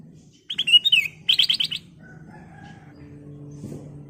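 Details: Golden-fronted leafbird lure song meant for training caged birds: whistled falling notes then a quick series of sharp repeated chirps, trailing into steady low droning tones.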